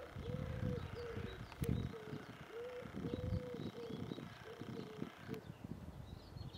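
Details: Common wood pigeon at Žale cemetery, Ljubljana, Slovenia, on 16 March 2023, giving deep, soft, hooting coos in a steady rhythmic phrase, with faint high calls of small birds behind.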